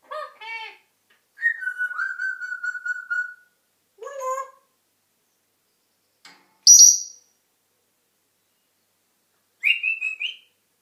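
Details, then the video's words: African grey parrot talking and whistling: rich harmonic voice-like calls, a long level whistle of over a second, a sharp high squeak and a closing wavering whistle. "African grey parrot talking and whistling"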